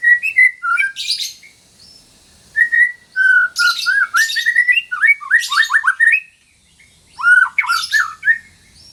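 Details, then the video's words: White-rumped shama female in breeding condition calling to a male, a song to restart shamas that went quiet: loud whistled phrases mixed with harsh, raspy squawk bursts, sung almost continuously in several outbursts with a brief pause near the end. "MASTERAN MURAI BATU GACOR - TERAPI MURAI BATU MACET BUNYI"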